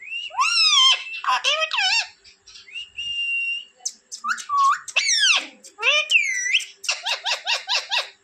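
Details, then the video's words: Domestic rose-ringed parakeet from India, trained to say words like papa, giving sweeping whistled syllables, a flat held whistle, then a fast run of six or seven repeated chirpy notes at the end. "parrot talking sound in hindi"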